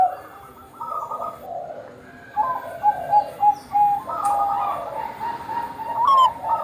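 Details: Perkutut bangkok (zebra dove) singing as a lure for others. Its soft cooing runs under steady background hiss, then sharpens into a quick series of short whistled notes and a final rising coo.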